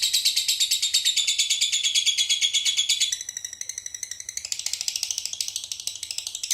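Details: Lovebird in konslet song with isian walang: a fast, high, buzzing stream of pulsed notes that dips slightly midway, then returns as a brisk, rhythmic chatter.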